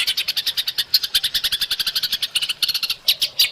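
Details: White-rumped shama training recording for caged birds, a full rich-filler masteran track: a fast, even chatter of dry buzzy notes, about eight per second, high and bright throughout, with a few sharper accented notes near the end.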